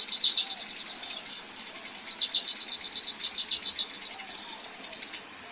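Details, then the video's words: Female kinoi in 'besetan' style, intended for training contest birds: a fast, even run of sharp, high ticking notes forming a thin rattling trill for about five seconds before fading out. "Besetan Dan Tembakan Kasar Kinoi Betina"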